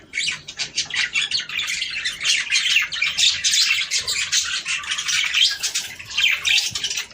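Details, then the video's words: Budgerigars chattering as a breeding stimulus; quick pulsing runs of scratchy chirps and trills rise and fall in loudness, with short pauses between bursts and a rough squawk now and then. "صوت طيور البادجي ــ تحفيز للتزاوج"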